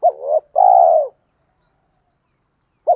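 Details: Spotted dove cooing to spur training doves: one phrase with a short wavering double note and a sustained level coo, then a long pause before the next phrase begins.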